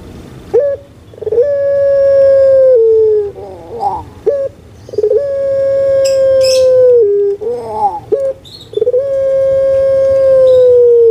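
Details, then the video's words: Caged puter pelung collared dove kept in Indonesia, pelung style from Java: short clipped notes lead into long, steady, drawn-out hoots, with wavering gurgled notes between, repeated over and over. "PUTER PELUNG SUARA MERDU STABIL"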